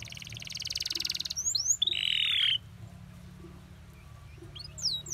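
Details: Canary master song used to teach other birds, with pleasant, easy-to-copy phrasing: a loud buzzy trill, then a dense buzzy run, then fainter scattered chirps over a low background hum.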